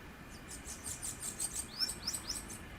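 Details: Wild bananaquit from Pernambuco, Brazil, calling and singing tirelessly: soft high buzzy chatter, then three or four sharp upslurred whistled notes in quick succession near the end.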